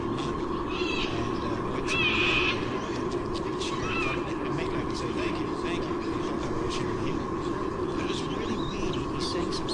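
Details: White-bellied sea eagle chicks in Sydney, whose mother has not brought breakfast, give thin, wavering high cheeps in short bursts, loudest around the middle, over a steady roar of wind and city hum.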